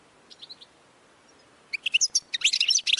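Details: A few soft Goldfinch notes, then louder quick twittering and tinkling chirps building up as training song.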